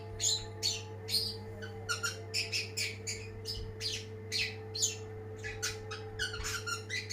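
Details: Long-tailed shrike, a first-place champion bird, singing energetically: a busy stream of harsh squawky notes and chirps, rapidly varied, with a steady electrical hum underneath.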